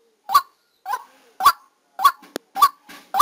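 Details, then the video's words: Decoy white-breasted waterhen heard during trapping. Six hoarse, honking notes repeat roughly every 0.6 seconds, interrupted by one sharp click midway. "Tiếng Quốc Mồi Ghi âm trực tiếp lúc đánh"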